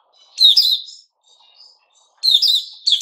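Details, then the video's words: White-rumped shama in "sing buka" song, 29 August 2021: two loud, rich warbled phrases about two seconds apart, separated by faint thin notes and near silence. "Puteh Raja Sing Buka"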